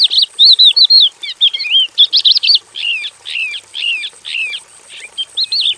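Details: Javan bush lark singing in a simple aviary cage, opening with quick high warbles and buzzy notes, then settling into repeated downslurred chirps about twice a second, each slightly softer than the last.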